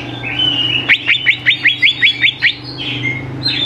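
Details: Lure song of a greater green leafbird for prompting young birds to sing: a quick train of about ten crisp downward-slurred chips over a low steady hum, with a thin warble before and after.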